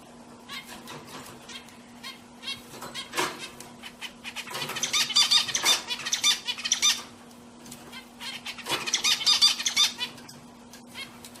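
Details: Pet zebra finches singing: bursts of buzzy, nasal, toy-trumpet notes in quick strings, with softer scratchy chatter between, over a steady low electrical hum.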